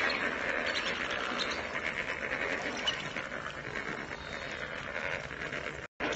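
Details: A dense flock of lesser flamingos, just released from their indoor quarters, keeps up a steady, overlapping chorus of nasal honks and chattering murmurs, with no breaks, ending in a brief cut.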